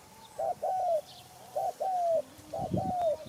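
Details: Spotted dove call: paired coos, a short note followed by a longer drawn-out falling one, repeated three times over about three seconds, with a faint low hum behind.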